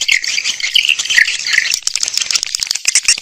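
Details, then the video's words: Brief burst of swiftlet lure audio, intended to attract swiftlets via speakers: shrill overlapping twitters with a few clear, higher whistled chirps standing out over rapid ticking. "Âm thanh dụ Yến"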